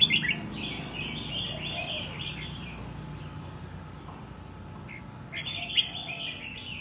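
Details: A wild-caught red-whiskered bulbul in a cage, deemed competition-ready after a year, sings a long warbling run of linked whistles, pauses, then resumes with another rich phrase; faint steady hum beneath.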